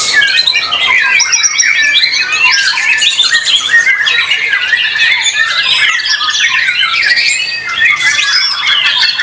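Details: At a songbird contest, a white-rumped shama delivers continuous, powerful song of quick rising and falling whistles, bursts of harsh chatter and brief pauses, amid a crowded chorus of other caged birds.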